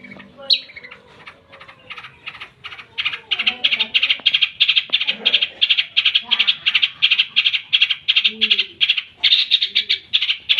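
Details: Long-tailed shrike in lively song with mimicked fill-ins, a long run of rapid, evenly pulsed harsh chattering notes, nearly three a second, with faint low murmuring underneath.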